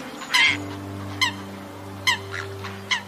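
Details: Red-crowned crane during a fight for survival with a coot: loud, ringing trumpeted notes about once a second, each brassy and slightly falling, over a steady low musical drone.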